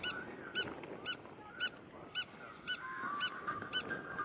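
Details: Spur-winged lapwing on a resort beach at Marsa Alam, Egypt; sharp, metallic clicking notes repeated about twice per second with steady rhythm, eight in all, over faint background murmur and a thin whistled tone.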